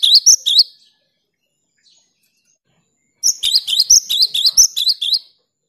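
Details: Singing cinereous tit kept in a cage, meant to encourage silent tits to sing. A short burst of sharp high notes, a pause of about two seconds, then a fast run of repeated twittering chirps.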